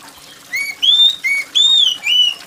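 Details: Oriental magpie-robin in loud, shrill song, used as therapy for birds reluctant to sing: four clear, strong whistled notes alternating lower and higher, each slightly arched, over faint background hiss.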